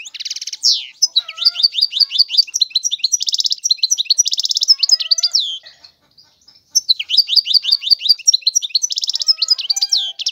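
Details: European goldfinch singing without pause: fast, high twittering phrases of liquid chirps and buzzy trills, with bursts of rapid repeated notes, broken by one short silent gap midway before the song resumes.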